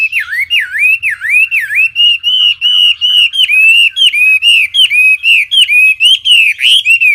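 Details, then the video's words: Wambi song of loud, pure whistled notes: first deep V-shaped swoops, then steadier high whistles with small flicks, repeated evenly about twice a second "Kicau Burung Wambi Jernih"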